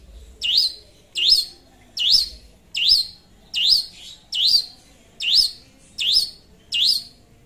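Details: Nine strong arched whistles in a very regular beat, one about every eight tenths of a second, given by a long-tailed shrike singing vigorously to call a rival.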